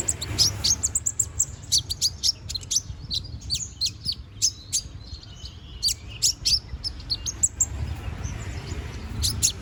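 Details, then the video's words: Bald young brown-throated sunbird, still growing its feathers, singing eagerly: rapid bursts of very high, thin chirps and short twittering notes, broken by brief pauses, over a low background rumble. "BURUNG KONIN BOTAK GACORR NGOBRA!"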